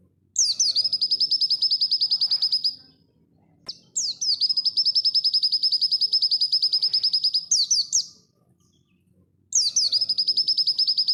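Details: White-eye (pleci) in dakun style at full speed, recorded to train cage birds: three long bursts of machine-gun-fast high piping notes, each lasting several seconds and separated by short silences, some opening or closing with downslurred flourishes.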